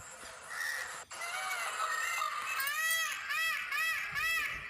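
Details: A male Indian peafowl dancing with its train fully fanned to win over females gives a quick run of arched, nasal, harmonic notes, about two each second, after softer chattering from other birds.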